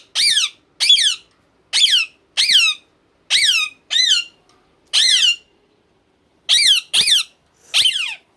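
Rose-ringed parakeet giving harsh, high, downslurred screeches, about ten in eight seconds in uneven bursts, in a quiet indoor room.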